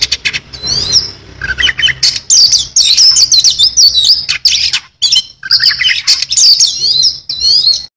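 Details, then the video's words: Oriental magpie-robin in rich varied song: whistled slurs, lower falling notes, rapid chattering trills and high warbled phrases in bursts with short gaps, faint low background hum. "kacer gacor full isian"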